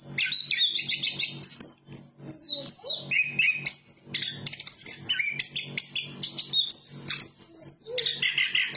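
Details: Chestnut-capped thrush (anis kembang) singing a fast, varied song of sharp whistled notes and buzzy trills, jumping between high and mid pitches with frequent slurred rising and falling phrases, with a faint low hum behind.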